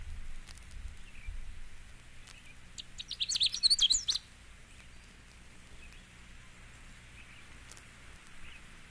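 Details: Canada Warbler song: one quick, jumbled burst of sharp chips and high warbled notes lasting about a second and a half, tumbling over a wide pitch range, with otherwise quiet background hiss.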